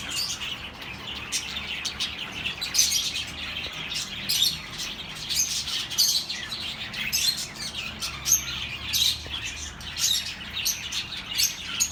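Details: Steady flock-like chattering of birds for lonely pet birds, with many overlapping high chirps and warbles that never pause.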